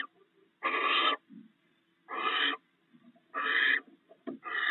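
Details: Barn owls sharing a meal of rats at the nest before dawn: four harsh breathy hisses spaced irregularly over a few seconds, with soft low chuffs and light ticks between.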